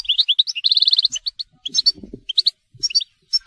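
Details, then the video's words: Telqam-style song from a European goldfinch: a fast, rapidly repeated run of sharp metallic chirps opens the phrase, followed by scattered high twitters and buzzy notes, with a faint low thud in the middle. "Chant Chardonneret telqam"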